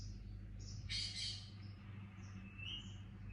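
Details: Pet Indian ringneck parakeet chick chirping faintly: a brief louder rustling burst, then a few soft, thin high notes, with a constant low background hum.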